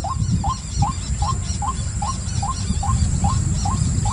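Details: A white-breasted waterhen repeats brief, rising, hooked call notes at an even pace, roughly every 0.4 seconds, with loud low-pitched rumble underneath.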